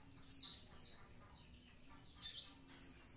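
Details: Javan pied starling (konin) singing: a loud, harsh, high whistle falls over half a second, then a pause and a rising note. A second strident slurred whistle closes the clip.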